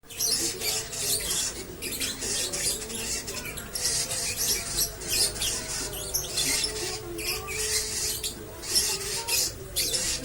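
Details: Lovebird giving koslet and ngekek panjang, a long continuous chattering song: dense, shrill, buzzy high-pitched bursts running almost without pause, with faint lower tonal hum underneath.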